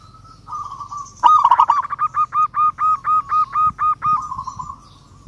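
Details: Local zebra dove calling a rival: a soft coo, then a rapid rolling trill opening into about a dozen evenly spaced, hollow cooing notes at a steady pitch, fading into a quiet trailing coo.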